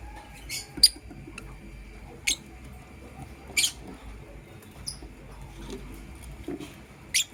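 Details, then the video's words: Lovebirds, a blue opaline and a green personata, in the morning; sharp, piercing high chirps spaced a second or more apart, some doubled, against faint indoor room noise. "Lovebird Chirping Sounds in Love"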